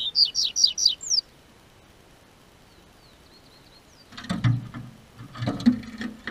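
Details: Double-collared seedeater in southern Brazil singing with the onset of warm weather, from a registered amateur breeder: five rapid high descending whistles, a quiet gap, then broadband knocking and rattling noise.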